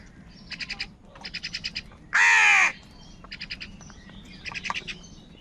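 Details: Many crows calling in the morning as they fight for food. One harsh, rasping caw bursts out in the middle, set between short bursts of rapid, high, repeated chirping from other birds.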